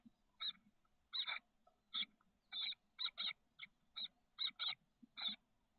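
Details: Chestnut-backed chickadee nestlings, thirteen days old, in a nest box in the south peninsula of the San Francisco Bay area, 30 May 2023: about eleven short raspy, hissing bursts in an irregular series over six seconds, with faint low rustling between them.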